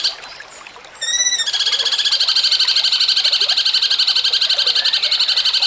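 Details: Cucak cungkok song, jengking munting style, recorded to train birds for songbird contests: faint opening, a few rising notes, then a long loud, evenly pulsed buzzy trill repeating about four times a second.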